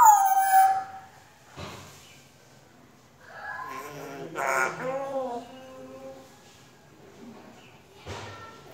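A grey parrot opens with a clear, falling whistle, then gives drawn-out, wavering, howl-like notes. Two sharp knocks break the quiet between them.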